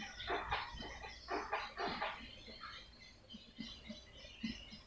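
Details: Lure sound for swiftlets: several loud bursts of harsh, scratchy chirping early on, then quieter high twittering and scattered low clicks.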